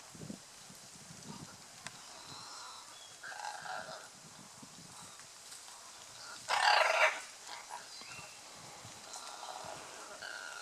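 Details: Scarlet macaws courting at Playa Blanca, La Palma, Osa Peninsula, Costa Rica. A single loud, rough squawk lasting about half a second stands out; softer scattered calls and low rustling fill the rest.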